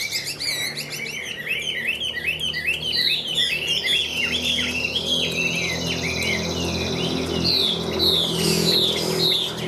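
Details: Caged Chinese hwamei of the Tam Hoàng form pouring out a long, loud song of repeated looping whistles and bright slurred notes, phrases tumbling one after another against a low indoor hum.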